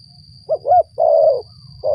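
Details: Spotted dove coo phrase used as a lure for catching doves: two quick hollow notes, then a long drawn-out purring coo and the start of another, with a constant thin high whine and low rumble behind.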